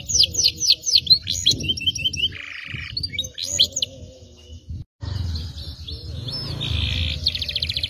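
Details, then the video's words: Canary song: fast runs of sweet whistled and trilled notes, rolling phrases and buzzy rattles that change pitch, over a steady low hum from the recording. "Cengkok Kenari Paling Mewah 2022"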